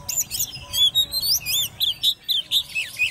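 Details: Ten-month-old hand-raised Oriental magpie-robin in a cage, in competition song: a fast stream of bright, high whistled phrases, each looping up and down, delivered about twice per second without pause.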